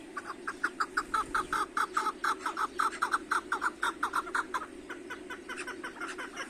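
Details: Repeated chuk-chuk calling from chukar partridges kept in a spacious aviary, set off by sunshine after snowfall; harsh clucking notes roughly twice a second that fade out near the end, with a background drone.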